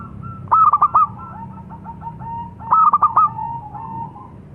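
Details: Local zebra dove giving two stuttering bursts of bright coos, each trailing into a soft rolling series of lower, faster notes.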